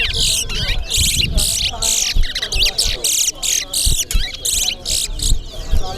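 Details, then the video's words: Chestnut-bellied seed finch (towa towa) in a bird-song race at the Sheriff Street bird ground, Guyana: bursts of rapid, buzzy, warbling song repeat about every half second, with crowd chatter and counting and low background noise beneath. "TOWA TOWA BIRD RACE"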